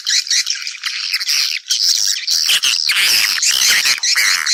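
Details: Swiftlet calls meant to draw others to nest: loud, dense, piercing twitters and rattling trills pouring out almost without pause.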